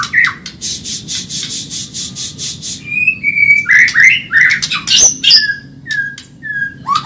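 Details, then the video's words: Medan-type white-rumped shama, a masteran tutor recording for training caged birds, described as very fast and energetic: rapid buzzy pulses repeated many times, then pure whistled slurs, sharp rising notes and short downward whistles. "Masteran burung murai Medan super cepat gacor"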